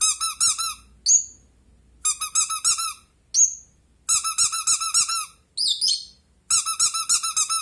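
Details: Pet rosy-faced lovebird, blue, answering a toy duck: rapid bursts of harsh, high chirps strung together in quick runs, broken by a few thin squeaks, indoors with little background noise.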